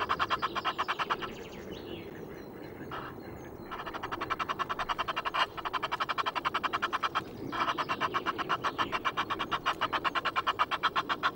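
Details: Egyptian geese, noisy and unedited, filmed by webcam at Loch of the Lowes in Scotland on 5 March: loud, continuous rapid cackling of harsh pulsed notes, broken by brief pauses, with fainter chirps behind.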